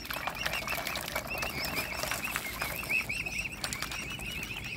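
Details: Mute swan family, cygnets fed by hand; softer, lower-level high peeps strung together and overlapping, with clicking and rustle in the background.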